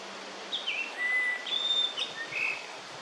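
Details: Yellow-billed grosbeak, a summer visitor to Korea, singing in early May 2024: clear, sweet whistled notes with level and slurred phrases, some rising and some dropping, against a steady hiss of background noise.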